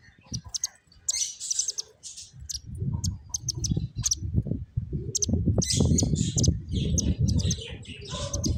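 Finches chirp in quick, thin, high bursts, several notes a second, over a steady low rumble of rustling and background noise.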